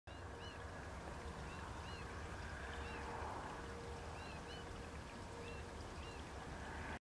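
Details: American goldfinch nest alarm calls at Condie Nature Refuge, Saskatchewan, Canada, on 3 September: short, rising whistled notes, often paired, repeated every second or so over a steady low rumble of wind or water.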